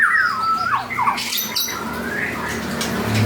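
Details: 'Panda' type white-rumped shama, singing actively, opens with sweet whistled slides that fall and then rise again. Softer scratchy notes and a rising whistle follow over a low hum.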